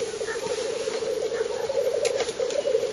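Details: Black grouse lekking in spring in northern Finland on 30 April 2011, filmed from 50–70 metres with a Fujifilm Finepix HS10 superzoom. A continuous, low bubbling chorus with a steady rolling pulse runs throughout, with faint hissing higher up.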